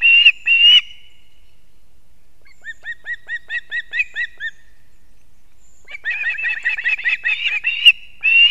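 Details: Latvian osprey nest, 6:40 am, 3 September 2024, with the male bringing two fish for the young; loud whistles, then softer thin repeated chirps, then a dense overlapping series of calls.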